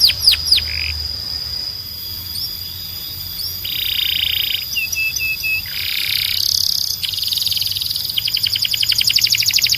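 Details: Belgian canary giving mostly harsh, buzzy rolling phrases broken by brief piping notes and a few high whistled loops, closing with a rapid stuttering trill.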